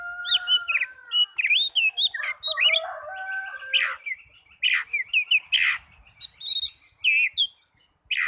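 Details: Oriental magpie-robin song used as a lure to get lazy caged birds singing: a fast, varied run of whistled, rising and falling notes with sharp chirps, pausing briefly around the middle, against a quiet background.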